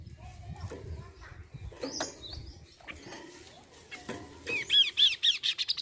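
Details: Kaso-kaso bird song used as a lure to prompt captive birds to start singing: after quiet chatter and faint chirps, a loud, fast series of bright arched notes repeats about four times a second.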